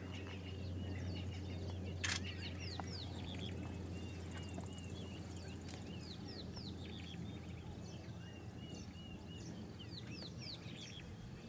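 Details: A group of Southern Masked Weavers building nests at Pilanesberg National Park, South Africa, 7 January 2013. Dense, continuous twittering of short curved chirps and scratchy notes fills the whole stretch, with a low background drone.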